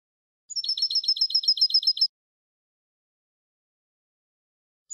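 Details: European goldfinch 'eco' song without endings or flourishes, from a tutor recording for young goldfinches. One short, even series of about a dozen high, rapid twittering notes is followed by long silence and a brief note at the end.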